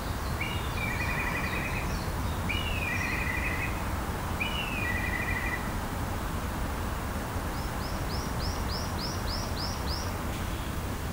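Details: A Blue Rock Thrush in an early-summer city park in Japan sings three clear, warbled phrases about a second apart, then a fast run of nine high, repeated notes, over a steady low rumble.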